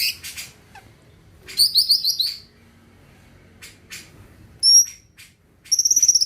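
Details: Greater green leafbird in strong song, meant to push other birds to sing. A quick burst of six ringing chirps, short scratchy notes, a clean double whistle, then a final fast trill of bright repeated notes.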